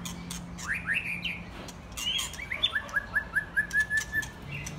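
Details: Young white-rumped shamas, mostly after their first molt, singing together: clear whistled phrases, then a string of short, evenly repeated notes over a steady low hum and background noise.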